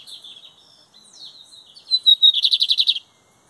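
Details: Lined seedeater in a 2023 Metálico-versus-Torneiro song tournament: wavering thin high notes slide into a clear whistle, then a loud, fast trill of around nine evenly spaced pulses, ending abruptly.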